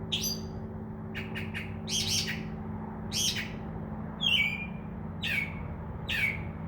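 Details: Mimicking Northern mockingbird in a tree by a window at night, a singer that copies crow caws; mixed phrases of rapid clicks, buzzy bursts and downslurred squawky notes about once a second over a low constant hum.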